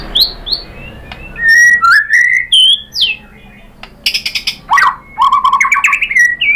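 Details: Provoking song of a white-rumped shama, meant to get other birds singing: scattered rising whistles and sharp clicks between quiet gaps, then a quick run of buzzy rising notes.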